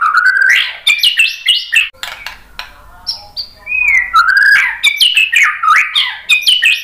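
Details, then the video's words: White-rumped shama pouring out rapid, varied whistled phrases with steep upward and downward slurs, a brief quieter pause midway, then another burst of song. "KICAUAN MURAI BATU"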